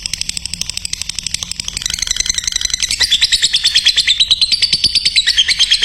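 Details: Lovebird song for training other lovebirds: a rapid high chatter that starts quieter and grows louder halfway through, settling into a steady, piercing stream of quick repeated notes.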